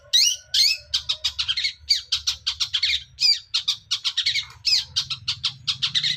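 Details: Nonstop ngacor singing by a young forest-caught long-tailed shrike, packed with harsh rasping chatter and sharp high squeaky notes in quick clusters, a low background drone throughout.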